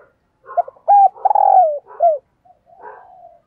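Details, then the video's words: Spotted dove decoy cooing to lure wild doves: a phrase of low, mellow coos, a few short notes building into two longer drawn-out coos that fall slightly at the end, then softer trailing notes. "Tiếng Chim Cu Mồi GÁY GỌI Bổi, Mở Lên Bổi Gáy Cả Ngày"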